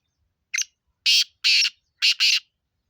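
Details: Black francolin in Sindh, Pakistan, giving a harsh, grating phrase: one short clipped note, then two longer buzzy rasping notes, a brief gap, and a quick closing pair, all over a silent background.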